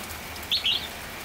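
A red-whiskered bulbul gives a brief pair of bright, whistled notes, the second slightly longer and falling, over a soft steady hiss.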